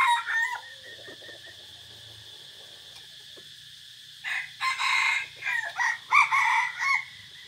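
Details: Forest recording of a decoy red junglefowl, 3 April 2024: a crow tail at the start, quiet clucking and low rumbling, then a burst of choppy crowing phrases in quick succession, all over a continuous shrill insect tone.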